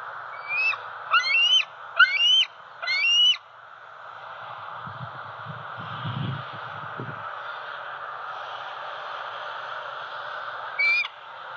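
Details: Juvenile bald eagle, a six-month-old female still at the home nest tree in Southwest Florida on October 4, 2020, begging for breakfast: four quick piping, rising whistled squeals, a pause with low rumble, then one more squeal.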